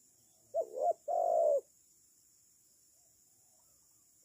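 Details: A single cooing phrase from a decoy spotted dove used for trapping birds, a quick dipping note followed by a longer steady coo, then quiet until the next note starts at the end.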